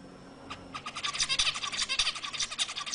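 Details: Zebra finch singing to arouse females for mating, a continuous rapid run of harsh buzzy notes with bands of harmonics, pulsing several times per second across the whole stretch.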